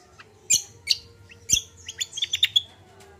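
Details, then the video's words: A common iora sings a gacor combo song meant to prompt untrained birds into singing. Sharp high clicks and squeaky notes are followed by a fast cluster of bright, whistled chirps near the end, over a faint low hum. "TERAPI BURUNG KACIAL KOMBO GACOR||UNTUK PANCINGAN BURUNG BAHAN"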